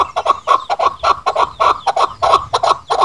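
A Chukar partridge gives harsh, clucking chuck notes in quick, uneven bursts, about three a second, with a mid-pitched, raspy tone.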